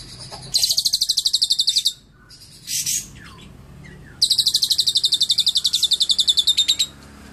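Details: Lovebird isian cililin song, clear: two bursts of very rapid, high, crackling trill a few seconds long, separated by a short harsh squawk and a pause, with only light background noise.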